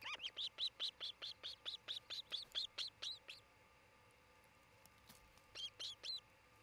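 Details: Osprey pair at a nest near treetops in Charlo, Montana, recorded by nest camera on 27 June 2018 during nest building and mating season; a fast run of about fifteen high, sharp whistled chirps, then a pause and three more.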